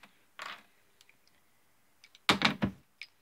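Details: Indoor knocks, thumps and a short burst of tapping in a quiet room, with no animal voice.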